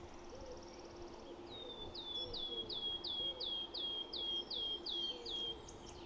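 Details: A restless wood warbler, switching singing perches in forest and at times perched right overhead, sings a run of about a dozen high, sharp, slightly falling notes that pick up pace like a bouncing marble, over a faint low cooing.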